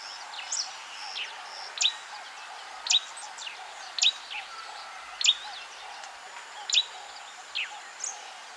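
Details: European bee-eater, a passage migrant, in Kenya: short, sharp, high calls repeated about once a second, with fainter chirps between them and a steady low hum behind.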